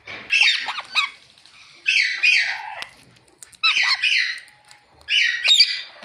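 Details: Ringneck parrot giving natural chirping calls: four harsh, screechy bursts, each about a second long, spaced roughly every one and a half seconds, with quiet gaps between them.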